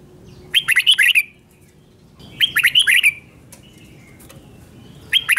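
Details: Red-whiskered bulbul singing doubled-style song for young birds to copy: three bursts of five to six quick, ringing whistled notes about two seconds apart, the last cut short.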